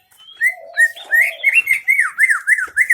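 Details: Greater green leafbird, Aceh Tengah, singing in 'isian MB' style. A few rising whistles lead into a rapid, steady series of looping, slurred whistled notes, about four per second, loud and clear.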